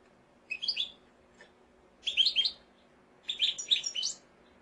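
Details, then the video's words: Mosaic canary singing in three short bursts of warbled, twittering notes, each under a second, separated by pauses of about a second. "قناری موزائیکی"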